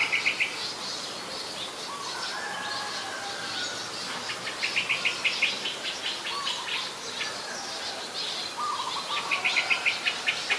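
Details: Ashy woodswallow, a very common resident, recorded at Ubon Ratchathani, Thailand, on 17 December 2019. Short bursts of rapid, harsh chattering notes come in several runs, with a few lower, drawn-out notes between them over a steady background hiss.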